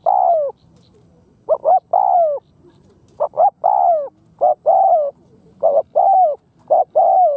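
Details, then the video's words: Spotted dove used as a lure bird to draw in wild doves, giving a gáy gù cooing performance: mellow low coos in repeated phrases of two short notes and a longer falling coo, about every 1.2 seconds, against a quiet background. "Chim cu gáy Rút bổi hiệu quả ,Cu mồi Rút bổi bài bản Đủ Bài. Cu gáy thúc gù Gáy Gù kích bổi"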